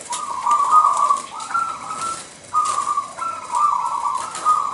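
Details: Zebra dove of local wild stock singing in the 'manggung nggayer' style with a big voice: repeated long, trilled, fairly level coos, each phrase ending with a slightly higher note.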